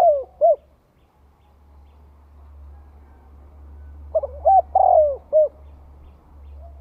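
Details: Spotted dove song used to goad rival birds: one phrase ends early, then after a lull another phrase of short hoots, a long falling coo and a last curt note, over a steady low hum.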